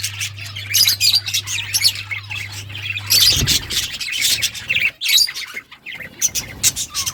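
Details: Several budgies chatter together in rapid, high, scratchy chirps and warbles that come in clustered bursts, then thin out toward the end, with a constant low hum in the first half.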